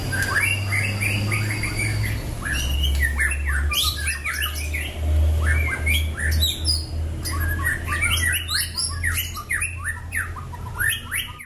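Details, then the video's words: Champion-line Bahorok white-rumped shama, black-legged and long-tailed, singing in a cage: energetic, rich stream of rapid chirps, harsh squawks and bright whistles in rolling phrases, continuing strongly throughout over a persistent deep hum. "MURAI BAHOROK KAKI HITAM EKOR PANJANG, FIGHTER & GACOR."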